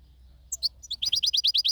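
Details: European goldfinch in nature, a couple of thin, high chirps followed by a fast series of about eight bright, repeated, twittering notes.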